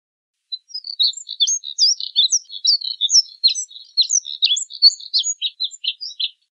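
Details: Moussier's redstart singing a fast, continuous warble of high, varied chirps and short twittering notes, about six seconds of tightly packed phrases with no other sounds.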